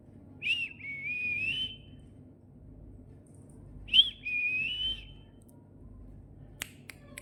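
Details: A talking parrot gives two clear whistled notes about three seconds apart. Each opens with a short upward flick and then holds a level, slightly rising tone for about a second. A quiet room lies behind, with a few sharp clicks near the end.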